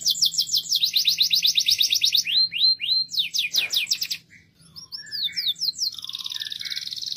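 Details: Canary singing loudly: rapid high trilled rolls of repeated rising notes, switching to sweeping slurs, a brief pause, then varied chips and a fast buzzy high trill.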